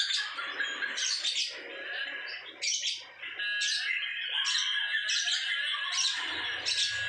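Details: Lovebird performing ngekek, a long, unbroken, high-pitched chattering trill. It runs continuously with rasping squeaky bursts roughly every second and barely pauses for breath.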